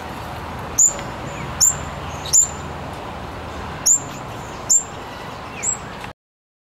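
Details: Double-eyed fig parrot repeating brief piercing high notes, each a quick sharp tseet, six calls at uneven intervals of roughly a second, over constant low background noise.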